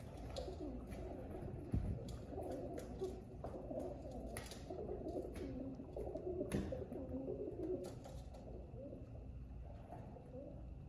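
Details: Several pigeons coo in soft, rolling, low-pitched phrases, with scattered sharp clicks, scratching and a steady background rumble.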